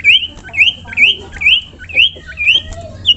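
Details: Common iora calling to prompt other ioras to sing: a clear whistled note that sweeps upward, repeated about every half second in a steady series, with a faint low hum beneath.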